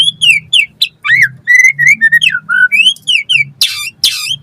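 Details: White-rumped shama in full, varied song, meant to spur other shamas to answer and learn: a rapid flow of looping, slurred whistles rising and falling, ending in two harsh, noisy bursts.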